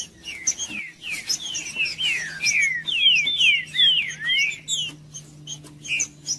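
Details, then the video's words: Green-winged saltator song used to warm up a cold bird that is not singing: rapid runs of clear, slurred whistles sweeping downward, tumbling over one another for several seconds, over a steady low electrical hum. "TRINCA-FERRO CANTANDO/ESQUENTAR TRINCA FERRO FRIO"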